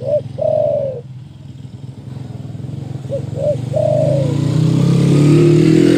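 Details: Spotted dove with a big voice meant to provoke rivals, sounding two phrases of short hoots ending in a long coo, partly masked by a loud motorcycle engine that swells toward the end.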